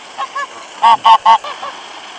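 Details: Goose honks at a waterfall, 26 February 2013, while the birds are given bread in cold, dry-grass conditions; two soft notes followed by three loud evenly spaced honks and two fading ones.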